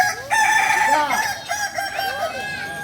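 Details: Kukuak Balenggek chickens from Solok training for crowing performance; a sustained, strong rooster crow holds a steady tone with wavering, stepped inflections, while other birds crow faintly underneath.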